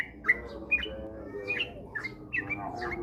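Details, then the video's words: Softer sooty-headed bulbul phrases used as a singing lure: spaced, slurred chirps about twice a second against a steady background murmur. "pancingan trucukan agar cepat ropel gacor rajin bunyi"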